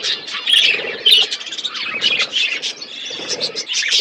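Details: Eating pet budgies produce bright twittering chirps and warbles, several birds overlapping in lively, uneven bursts.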